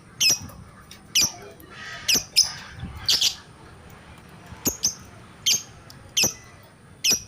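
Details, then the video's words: Lovebird uttering loud, piercing single chirps about once a second, some notes doubled, with little else audible. "BURUNG LOVEBRID BERKICAU | AUTO NGAMUK"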